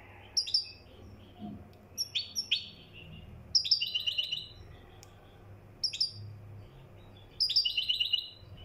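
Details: European goldfinch from Morocco singing in the style called mkhanter: five short bursts of bright, tinkling, twittered notes with brief pauses between, over a faint low steady hum.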